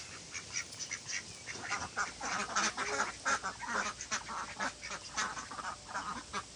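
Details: A flock of ducks quacking continuously, with overlapping nasal, harmonic quacks in quick irregular bursts, several each second, forming a dense chorus throughout.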